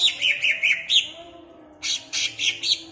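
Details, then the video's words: Caged greater green leafbird from Ampelgading, Pemalang, meant to excite other birds: a run of five bright slurred whistles, a brief hush, then four louder, harsher buzzy notes. "BUAT CUCAK IJO MU CEPAT EMOSI DENGAN PLAY VIDEO INI"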